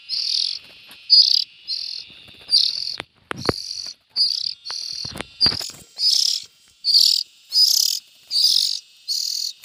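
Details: Young bulbuls calling with a rapid series of short, hoarse, hissing rasps, about eighty a minute, slightly irregular, with a few sharp knocks in the background.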